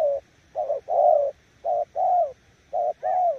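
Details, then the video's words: Spotted dove in its 'gù' cooing style, a bird claimed to beat weak decoys: mellow low coos, three short-then-long pairs after a clipped opening note, calm background. "Nước gù ae tự đánh giá, mồi yếu gặp thứ này chắc cũng thua"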